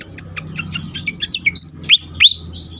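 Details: Agitated fantail used for luring and stimulating other birds: a run of short sharp chirps builds into loud downward-sweeping whistles and a clear high whistled note, with faint low hum beneath.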